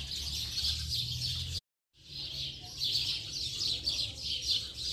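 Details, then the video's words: Late-afternoon house sparrow flock chattering together, many overlapping high chirps in a busy, pulsing chorus, briefly cut to silence for a moment before the noisy chirping resumes over a low hum. "Bando de Pardais Cantando Baderna de Final de Tarde!!!"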